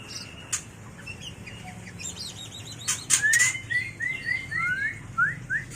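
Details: Mating call of a white-rumped shama, played for training and luring birds: faint whistles, a burst of sharp clicks, then a run of about eight quick rising slurred whistles in a row.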